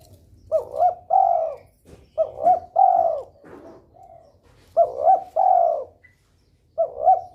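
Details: Breeding spotted dove calling to prompt rivals to join in: three-part cooing phrases, two short rising hoots then a longer slurred coo, with a soft trailing note, repeated about every two seconds.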